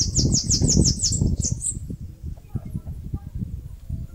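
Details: Bananaquit singing while building a nest in a mandacaru cactus in northeast Brazil: a fast run of about eight high, thin, downslurred buzzy notes over 1.5 seconds, then a couple of trailing notes, over low rumbling background noise.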